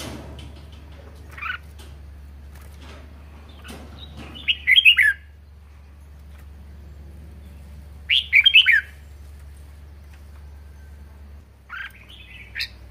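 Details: Pet red-whiskered bulbul singing 'ché' style: brief whistled phrases of quick, tumbling notes spaced several seconds apart, with a lone chirp between, against a low steady hum.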